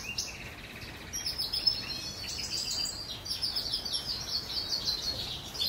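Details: A goldfinch mule sings on a rainy day: a rapid, tinkling twitter of high trills and chirps over a soft background hiss.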